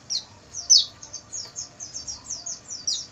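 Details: Oriental white-eye singing at night, recorded for training caged birds: a steady series of about a dozen high, thin, downward-sliding chirps, roughly four per second, with a louder note near the start.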